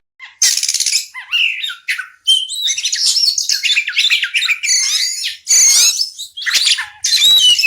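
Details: Oriental magpie-robin chirping: a loud, varied run of high whistles, harsh buzzy squawks and quick slurred notes, nearly continuous with brief pauses, all pitched high with no low sounds.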